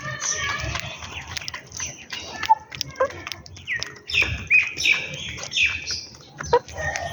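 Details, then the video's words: Sparrows feeding in the morning, giving short bright chirps and tweets in quick irregular bursts, several birds overlapping, with low background rumble and clicks. "Sparrows Chirping Sound"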